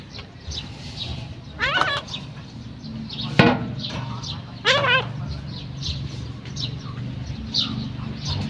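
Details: Female common myna calling: three separate harmonic notes, each sliding and wavering, spaced about one and a half seconds apart, with a sharp click between, over constant low background rumble.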